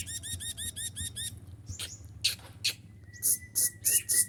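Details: Caged sunbird performing a song with mimicked prinia and bulbul phrases, used for courting a female: a rapid run of identical chirps, then scattered high notes and short squeaky bursts over a low hum.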